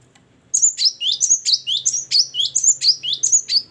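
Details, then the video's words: Great tit in full ngeplong, gacor singing: a steady run of about thirteen bright, high two-part phrases alternating upper and lower whistled notes, roughly three per second, over a faint low hum. "ngeplong dan gacor burung gelatik batu"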